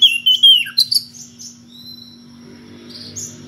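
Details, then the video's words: Oriental magpie-robin calling a rival in ngeplong style: a brief burst of clear whistles sliding downward and a few sharp high chips, then faint trailing notes over a steady low hum. "SUARA KACER NGEPLONG MEMANGGIL LAWAN DENGAN VARIASI SUARA ANEH"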